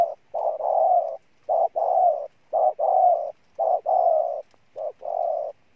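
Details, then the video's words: Spotted dove decoy cooing in a steady rhythm: a short note followed by a long, full, even coo, the pair repeated five times about once a second. "Con Bổi Gù Trâu Bò nhất năm"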